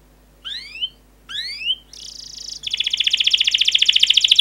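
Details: Singing canary whose song serves to stimulate other canaries: two rising whistled slides, a buzzy note, then a long, even, rapid rolling trill.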